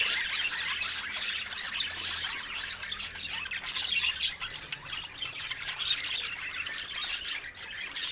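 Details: Budgerigars chatter nonstop with a grainy mix of squawks, chirps and rapid twittering from a group of birds. A faint low hum sits underneath.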